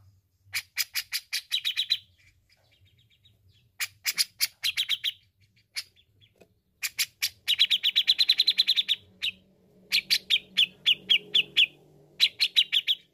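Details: Grey-cheeked bulbul song used as a master song for training birds: bursts of rapid, sharp chattering notes with strong ringing tones, in phrases of one to two seconds separated by short pauses, faint low hum beneath.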